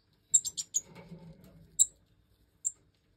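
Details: Captive-bred European goldfinch chicks of the Major variety, five fledglings that have jumped from the nest, calling while the hen feeds them: thin, very high chirps in a quick run of four, then two single spaced notes.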